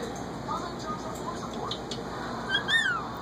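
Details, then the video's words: A happy pet cockatoo whistling: a few faint, softer whistles over quiet room noise, then a clear, arched whistle near the end, rising then falling. "Happy whistling cockatoo"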